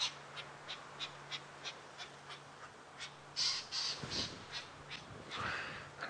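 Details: Lilac-breasted roller flying overhead gives harsh, crow-like squawks, several rasping bursts each second and loudest toward the end, over a low vehicle engine hum on a sunset safari drive at Djuma Game Reserve, South Africa, 5:30 PM, 30 October 2016.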